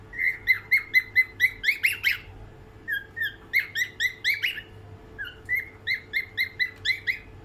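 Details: An albino cockatiel sings a series of bright, chirping whistled notes in quick bursts.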